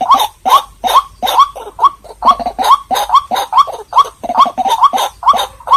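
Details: Calls of a White-breasted waterhen played to draw birds in: around fourteen harsh, nasal kwak-like notes with upward-inflected ends, delivered in an even, insistent rhythm.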